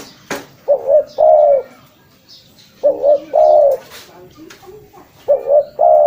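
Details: Spotted dove calls for luring: phrases of two brief coos and a sustained mellow coo, repeated three times about every two seconds, with a sharp click at the start and faint background noise.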